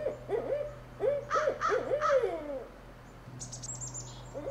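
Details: Barred owl courtship calls recorded close up: loud, wavering hoots sliding up and down, several in quick succession, with a high thin chatter near the end.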